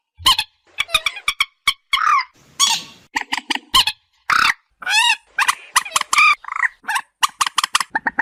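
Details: Moorhen, locally called dungkhor: a rapid run of short harsh clicks and honking notes, broken by a few longer nasal, wavering squawks, in irregular bursts against a silent background.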